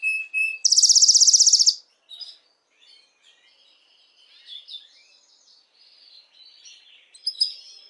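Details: Canary singing to excite females for mating: a brief whistle, a loud high buzzy trill lasting about a second, then faint scattered twittering notes.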